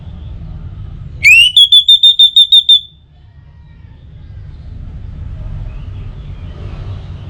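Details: One phrase from an orange-headed thrush: a quick rising sweep then eight fast, evenly pitched high whistles, followed by quiet background noise; played mornings and evenings to make birds sing more.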